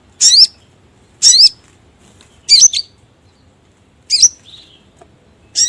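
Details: Sogon bird lure call used for trapping: sharp, high chirps with a falling-then-rising twist, given singly about once per second with short pauses, over quiet background.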